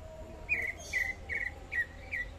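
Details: A greater green leafbird (Chloropsis sonnerati) from Kalimantan sings five short, bright chirps with a slight downward slur, spaced about every half second, over a faint background hiss.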